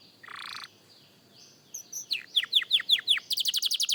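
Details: A young canary rehearsing its song starts with a soft, buzzy, muffled note and quiet pause, then builds into loud, high, descending whistled swoops and ends in a quick, ringing trill.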